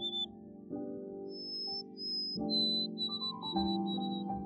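White-throated Sparrow song of pure, clear whistles: a lower opening note, longer higher notes, then a run of evenly repeated whistles, over background music.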